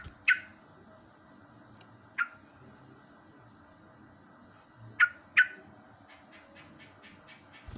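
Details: Morning recording of a yellow-vented bulbul, natural sound for stimulating caged birds: four widely spaced, abrupt, falling chirps, the last two close together, followed by a faint run of rapid ticking over a steady low hum.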